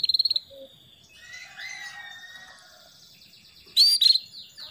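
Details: Female canary calling to the male: a fast trill of bright high chirps at the start, then a quiet stretch with faint background birdsong, and a loud burst of sharp, ringing chirps near the end.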